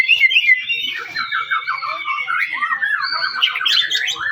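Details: White-rumped shama song played to provoke other shamas into singing: a sustained high whistle followed by fast warbling, chattering runs of rapidly repeated notes.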